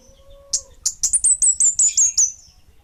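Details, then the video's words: Kemade Bunga Api singing a rapid string of shrill, very high, slightly downslurred notes, about five each second, after a brief low tonal hum. "Suara Burung Kemade Bunga Api"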